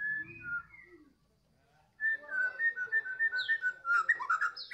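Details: White-rumped shama of the Medan type singing in the afternoon: a short whistled opening, a pause, then a fast run of clear repeated whistled notes, with a few higher sweeping phrases at the end.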